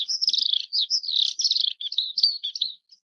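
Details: Brief high warbling phrase by an Oriental skylark in Taiwan, fast trilled notes running into sliding whistles, ending after under three seconds.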